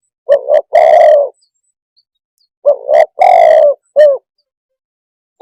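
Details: Spotted dove coo phrase given twice: a stuttered double coo running into a long, rough, falling croo, then a short rising-falling coo. The phrases are separated by a silent pause of over a second.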